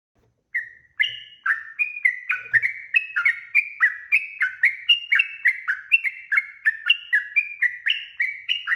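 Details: Long rapid yellow-vented bulbul song played as a lure so other birds respond quickly: a brisk chain of clear whistled syllables, up-and-down slurs repeated about four times a second, clean background.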